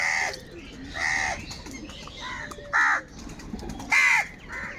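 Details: Harsh, nasal caws from crows fighting for food, four loud calls at irregular intervals, with quieter bird chatter between them.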